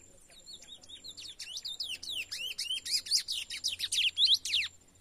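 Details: A young brown (pardo) chestnut-bellied seed finch, taken out into the bush and just starting to open its song, sings a fast, varied run of clear whistles and sweeping slurred notes, quickening into rapid bright chirps near the end.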